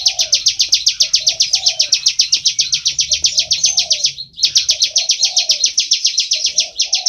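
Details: Ciblek sawah (bar-winged prinia) in vigorous full ngebren song, loud rapid chirps about four a second, pausing briefly near the fourth second before resuming, with faint low cooing in the background.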